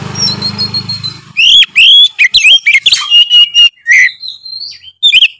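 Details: Oriental magpie-robin delivering gacor ngeplong song to stir up other birds of its kind: a low mechanical hum at the start, then bright sliding whistles, quick chips and one sustained whistled note.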